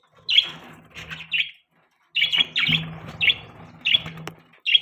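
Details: Morning chatter from happy pet budgies: sharp squawky chirps in short clusters, a silent gap near the middle, then more chirps over low rustling noise.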